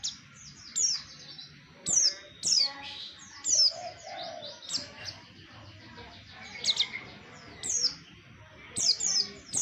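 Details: Oriental white-eye lure song for trapping birds, high sweeping chirps sounded in short clusters about once a second, with softer twittering and low background noise between them.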